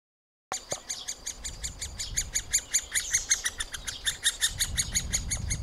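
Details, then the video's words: Young middle spotted woodpeckers in a nest cavity, being fed by both parents during the breeding season, give rapid, regular high chirping calls, roughly three per second, each a stacked, sharp squeak, with faint low rumble beneath. "Krmení mladých strakapoudů"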